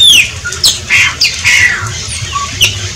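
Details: Short burst of shiny cowbird song: a high falling whistle, then squeaky, slurred notes and a buzzy gliding phrase, ending in a brief low whistle.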